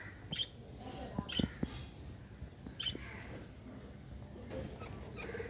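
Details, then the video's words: Lovebirds at play give short, sharp high chirps, single and in quick pairs, spread through the recording over soft background noise and occasional low knocks. "Love Birds Chirping"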